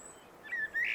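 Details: Common blackbird (Turdus merula) song fragment: two clear, fluty whistled notes, the second rising and brighter, over a faint outdoor hiss.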